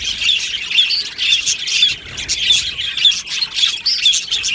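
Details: Australian budgies in an aviary colony, recorded 22 June 2025, singing and chirping together: dense, overlapping high warbles and squawky chirps in a steady burble, with short bright notes recurring about twice per second.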